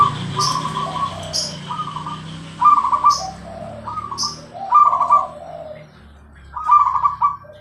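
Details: Bangkok-type zebra dove singing persistently: a string of short rolling trilled phrases followed by lower coo tails, repeated about every second, with high chirps from other birds and background hum.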